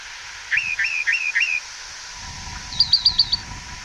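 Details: Rock Wren song in a canyon in the Santa Rita Mountains, southeast Arizona, spring: four quick, loud trilled notes repeated evenly, then a switch to five higher, sharper notes at a similar pace.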